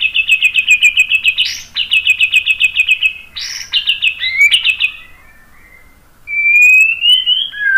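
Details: Song of a white-rumped shama, used as a lure to make other birds answer: fast, even chattering trills of repeated notes broken by harsh bursts, a quiet pause, then a long rising whistled phrase.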